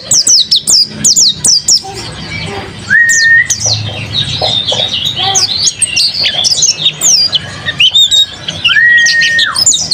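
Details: Busy high twittering from a kept mountain white-eye, punctuated twice by a steady, level whistled note held for about a second, with a faint low hum underneath.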